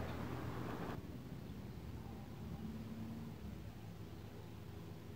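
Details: Quiet low hum and hiss, a little louder during the first second, with no animal call heard.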